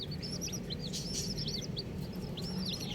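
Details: Several colourful baby chicks cheep rapidly: high, bouncy, down-slurred peeps tumbling in quick overlapping bursts over a constant low hum.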